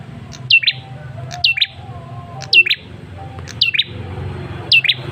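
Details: Male ashy tailorbird calling to draw a reply from other birds: five bright double chirps, each a falling high note then a lower one, roughly one per second, over steady low hum.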